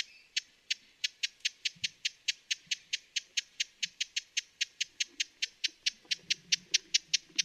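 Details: A long, fairly steady run of crisp, ticking chip notes from a broad-billed hummingbird, a little over two per second, with faint low rumbling underneath.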